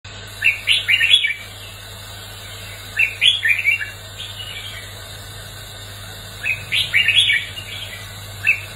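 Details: Red-whiskered bulbul in full competitive fighting song, used to train birds and rouse newly caught ones; three bursts of bright, warbling, chirpy notes, each about a second long, separated by pauses, over a steady low hum.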